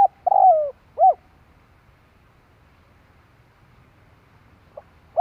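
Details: Spotted dove lure call picked up mid-phrase: a burry falling note and a short arched coo, then a long quiet gap and the start of another phrase.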